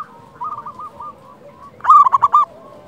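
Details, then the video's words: Local wild zebra dove song used to lure and train doves: soft rolling coos from background birds, then one loud bouncy phrase of four rapid, ringing coo notes in the second half. "Masteran pancingan perkutut lokal alam suara istimewa besar"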